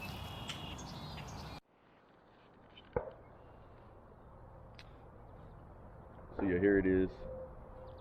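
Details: A sandhill crane, seemingly getting agitated and ready to move, gives one loud, rolling, rattling bugle, about half a second long, near the end. A man talks briefly at the start.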